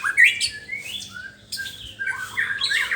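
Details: A white-rumped shama in the morning gives loud, rising whistled slurs and harsher squawk-like notes in quick succession, heard in a small indoor space.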